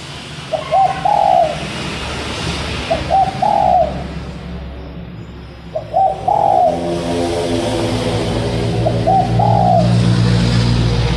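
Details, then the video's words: Spotted dove used as a decoy for catching doves repeats its cooing phrase four times, roughly every three seconds. Each phrase is a short stuttering note followed by a drawn-out soft coo, with a low droning hum behind it. "Burung tekukur pancingan"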